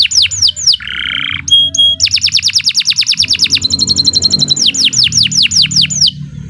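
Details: Canary song used as master training material for other birds: loud, varied phrases of quick rising whistled sweeps, a harsh buzzy note, then a long fast trill of repeated notes and more swept whistles, with low background hum.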